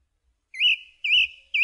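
A song thrush repeats the same clear, slightly warbled whistled phrase three times, about every half second, against a quiet background.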